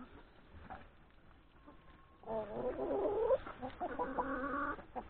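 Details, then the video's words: A yard flock of hens and three roosters, feeding at breakfast before grazing in the forest, is quiet at first, then breaks into loud layered calls and a sustained crow-like note with rapid clucking. "Chickens, hens and three roosters breakfast in the yard"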